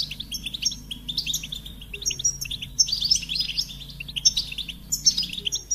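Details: Singing goldfinch delivering rapid tinkling phrases with buzzy trills and sharp chirps, grouped in bursts with brief pauses, faint low hum in the background.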